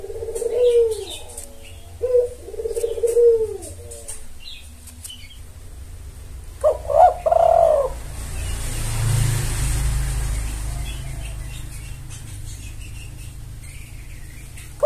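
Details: Spotted dove lure recording used to call in males: low, hollow cooing phrases of several swooping notes, two phrases close together at the start and another a few seconds later, with faint high chirps of small birds in the background.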